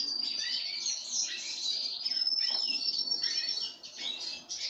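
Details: Loud busy twittering and chirping from pine grosbeak fed sunflower seeds, rapid irregular notes with a thin steady whistle, easing near the end.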